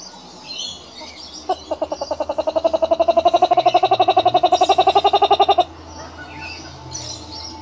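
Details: A kookaburra calling to its family: a rapid, rhythmic run of about thirty hoarse notes in four seconds, swelling louder, then stopping abruptly, with faint chirps from other birds behind.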